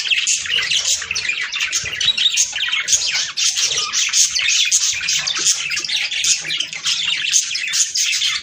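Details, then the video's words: Budgerigar chatter offered as a breeding stimulus: an unbroken wall of bright twittering, rapid chirps and scratchy squeaks from several birds, steady in loudness throughout. "صوت طيور البادجي ــ تحفيز للتزاوج."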